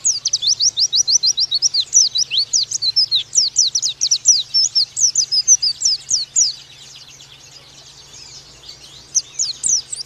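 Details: Oriental white-eye tutor song for training birds: long energetic outpouring of very high, fast slurred chirps for over six seconds, a quieter gap, then a fresh short burst at the end.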